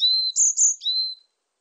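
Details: Song of a varied tit: a level whistle, then two very high squeaky notes, then another long lower whistle, all crisp and isolated with no other sounds.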